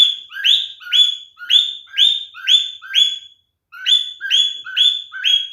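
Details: Male cockatiel calling with mating behaviour, repeating a loud rising call that swoops up then holds steady, about two per second, with one short pause.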